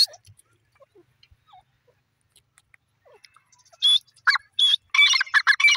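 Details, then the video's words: Francolin (teetar) call: a quick run of loud, harsh, grating notes in the last two seconds, after a nearly silent start. "teter bird sound,teter ki awaz"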